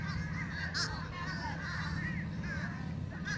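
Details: A group of fish crows makes a ruckus, with short, nasal, slightly wavering caws from more than one bird, some overlapping, above a strong low hum.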